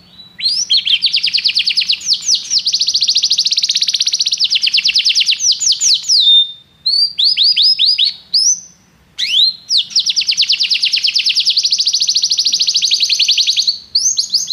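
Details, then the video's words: Canary song of long, loud, very rapid rolling trills of high notes, broken by two brief pauses and a short buzzy phrase, then resuming the fast even roll. "Seu canário cantou imediatamente depois de ouvir este canário"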